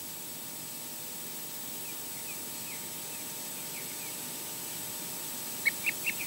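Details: Osprey at a nest during the male Odin's arrivals, departures, mating and a changeover, giving faint, short whistled chirps, then four louder, sharp high chirps near the end, over steady hiss.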